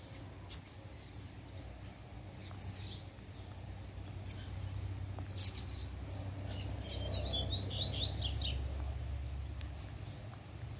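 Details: Double-collared seedeater (coleiro) from a kept breeding pair singing a puxada as the female appears: scattered high, sharp notes, then a denser burst of quick chirps midway, over steady low background hum.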